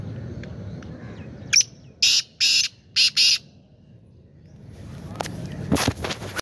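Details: Black francolin calling: five harsh, grating notes in a quick rhythmic phrase, the middle ones longest. A quiet pause follows, then scattered clicks and handling noise near the end.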